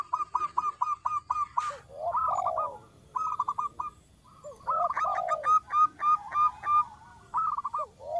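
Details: Small-voiced local zebra dove in full song for luring: rapid rows of staccato coos, slurred trills and low arched notes, repeated in lively bursts separated by brief pauses.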